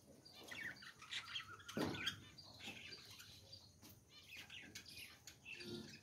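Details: Caged budgerigars chatter and warble in a busy, overlapping stream of chirps and scratchy notes.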